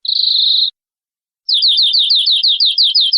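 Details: A canary gives a held high buzzy whistle, pauses, then a slower series of sweeping downslurred chirps, each repeated roughly every fifth of a second.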